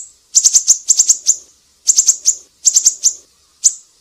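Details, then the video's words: Siri-siri, an energetic songbird singing, recorded as a tutor track for training cage songbirds: bursts of sharp, very high chipping notes in quick runs of three to six, separated by brief pauses. "Masteran burung siri-siri GACOR"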